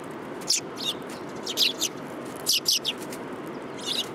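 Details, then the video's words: City sparrows gathering to be fed, 30 November 2015; sharp high chirps come in pairs and short clusters about once a second against a constant low hum of town noise. "想い出の都会の雀達 3 2015年11月30日 （餌を貰いに来る雀達）"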